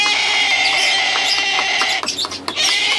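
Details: Three hungry, hand-raised baby sulphur-crested cockatoos beg with a steady, wheezy, high-pitched buzz, pulsing several times a second with brief breaks.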